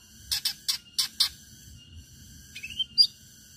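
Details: Lure song of a long-tailed shrike meant to set other shrikes singing: five harsh, scratchy chattering bursts in quick succession, a pause, then a rising twisted whistle ending in a bright high note, over faint low hum.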